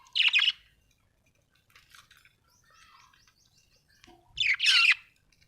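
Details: Pet budgerigars indoors at home: a loud harsh chirp opens, soft scratchy chatter follows, then a burst of loud raspy squawking calls near the end.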